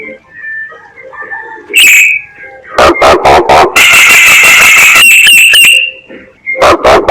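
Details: Myna lure calls: soft low chatter at first, then a sharp whistle, a rapid series of loud clicks and a long harsh screech broken by quick stutters.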